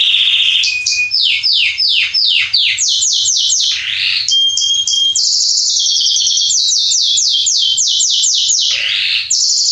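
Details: Singing Salsa Belgian canary male: cascades of downward-sweeping whistles, a short steady tone, rolling trills and more quick falling notes in unbroken song.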